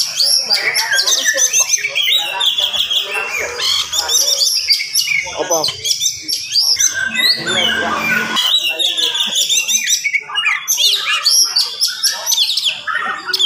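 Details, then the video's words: Oriental magpie-robin in fast, dense morning song aimed at provoking other magpie-robins: continuous varied whistles, buzzy trills and harsh chatter over thirteen seconds, with a short quieter break midway. "SUARA KACER GACOR DIPAGI HARI SPEED RAPAT cocok untuk naikin emosi kacer yang dengar"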